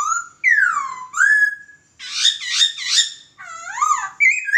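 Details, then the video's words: Master song of a laughingthrush for training birds: varied loud phrases mixing long downslurred whistles, rising whistles and a burst of harsh, rattling chattered notes, followed by wavering whistled figures. "Burung Poksay Masteran"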